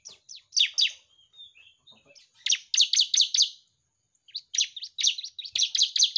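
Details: Bar-winged prinia singing vigorously, a recording used as a model for training other birds to sing: bursts of sharp, high, rapidly repeated chirps, each burst a quick series of piercing notes, with softer twitters between and a brief pause midway.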